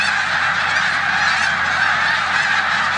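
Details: Spring flock of snow geese in a corn field on Olmstead Road, Savannah, New York, 14 March 2020, with resident Canada geese; loud, dense overlapping honks, shrill and nasal, filling the whole stretch.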